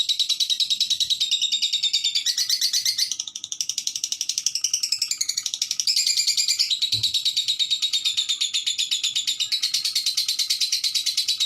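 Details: Lovebirds keep up a nonstop high, rapid pulsed chatter with shifting squeaky tones, one brief low knock near the middle.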